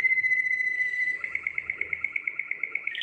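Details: Belgian Waterslager canary, a song breed. A pure held whistle with faint overtones runs into an evenly pulsed rolling trill of about three notes a second, ending in a brief higher note.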